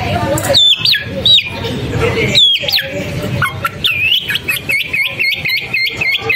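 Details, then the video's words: Long-tailed shrike opens with loud rising whistles and looping notes, then breaks into a fast series of quick chirps and clipped whistles, with rough chatter and low background hum throughout. "Gacorin Cendet Gak Pake Ribet"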